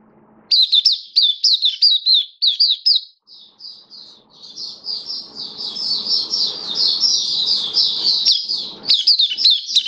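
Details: Caged Oriental white-eye (mata puteh) in open "buka sing" singing, recorded 27 October 2022: rapid high twittering phrases of slurred, wavering notes, briefly pausing, then a long dense chattering run with faint low background noise beneath.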